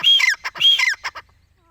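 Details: Francolin, known as dakni or desi teetar, calls twice in quick succession. Each call is a strident, grating whistled phrase that drops at the end, followed by short rasping notes. The setting is otherwise quiet.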